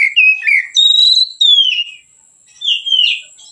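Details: White-rumped shama singing relaxed, used as a training lure for other birds: clear whistled phrases, a low note rising then long gliding whistles near the top, a pause, then a falling slurred whistle; faint steady high hiss behind.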